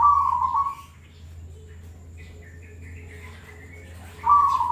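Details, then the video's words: Zebra dove song for contests and daily listening: a dense, rapid trilled cooing burst at the start and again at the end, with faint higher chirps from other birds between them. "suara perkutut paling bagus buat lomba dan harian"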